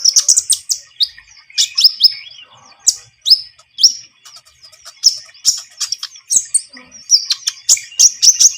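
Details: Javan munia singing as a trapping lure: sharp high chirps and buzzy notes in quick clusters, bursts repeated about every second with short gaps, a few thin descending whistles between.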